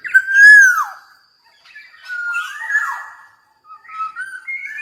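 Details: Javan black-naped oriole in full song: opens with a loud fluty whistle that arches and drops, then softer slurred whistles and a rising series of short fluted notes after pauses.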